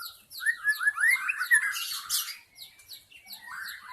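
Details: Wild-forest white-rumped shama song used as a lure to attract wild shamas: a rapid series of bright rising whistled notes and chirps, a burst of harsh scratchy noise midway, then softer repeated upslurred whistles.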